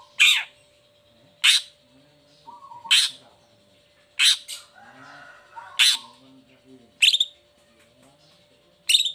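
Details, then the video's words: Long-tailed shrike lure recording meant to set lazy or moulting shrikes singing: loud, harsh, scratchy squawks repeated about every one and a half seconds, with soft low background sounds and a steady faint hum between them. "Cendet Gacor Buka Krodong Pancingan Khusus Buat Cendet Loyo Malas Atau Lagi Mabung Agar tetap Bunyi"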